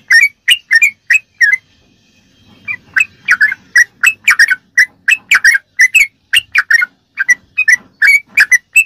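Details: Sooty-headed bulbul delivering 'ropelan' rapid-fire song for use in training captive songbirds: crisp chirps in quick runs, a short quiet gap near two seconds, then denser overlapping notes until the end.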